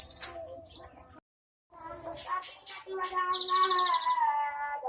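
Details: Cinereous tit, 'isian mewah' filled song: a short high trill, a gap, then mixed chattering and warbled notes before another loud, rapid high trill over a sustained lower whistled line.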